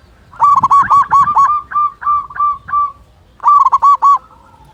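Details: Loud-voiced local zebra dove used as a tutor and lure for quiet doves: rapid rolling series of hooked, tremulous coos, a pause, then a second quick burst of four notes.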